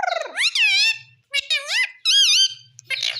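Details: Loud parrot talking in three main bursts of nasal, wavering, speech-like sounds, the pitch bending up and down, with a low faint hum between phrases.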